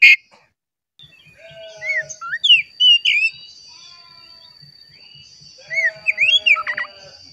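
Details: Oriental magpie-robin song played as a lure to stir caged birds into singing: varied clear whistled phrases slurring up and down in two bursts. A steady thin high tone runs throughout, with faint low ticking underneath.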